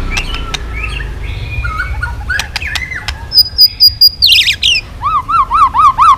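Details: Provoked white-rumped shama singing hard and flicking its tail, shifting between voices. Scattered chips lead into a high trill, then a run of evenly spaced whistled notes that rise and fall.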